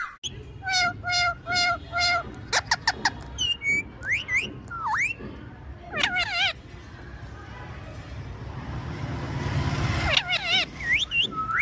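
An Indian ringneck parakeet gives a rapid run of harmonic, word-like phrases, clicks and sharp upslurred whistles, with a low steady hum underneath.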